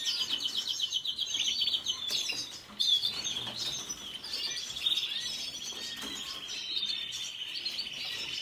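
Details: Red siskin song opening with a fast buzzy trill, then a brief pause and more twittering and a long, even, rattling trill held near the same high pitch.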